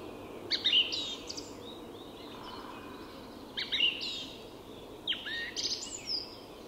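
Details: At dawn in Sweden's Tyresta National Park, a song thrush delivers three brief, bright phrases of sharp chirps and squeaky notes, spaced a few seconds apart over soft ambient noise.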